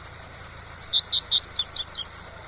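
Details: Double-collared seedeater performing tui-tui song for training young birds, with waterfall noise: a single high note, then a rapid chain of sharp, down-slurred whistles speeding up toward the end, over a low continuous rush.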